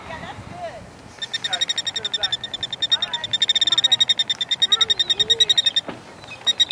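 A killdeer gives a rapid, high, even trill of sharp notes, about eight per second, for several seconds. Low human voices murmur in the background.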